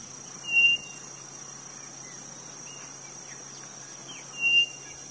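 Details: Two brief, even-pitched whistles from a quail of the Nordeste, spaced about four seconds apart, faint chirps in between, all over a constant buzzing insect background.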